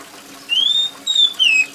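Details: Oriental magpie-robin singing loudly and shrilly with rain falling: three long clear whistles, the first rising and sustained, the next two level then sliding downward, over gentle background water patter.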